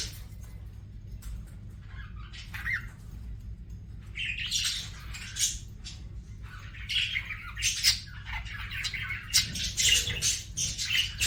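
A budgerigar warbles a rapid, scratchy chatter of squawks and chirps in bursts, with a steady low hum underneath.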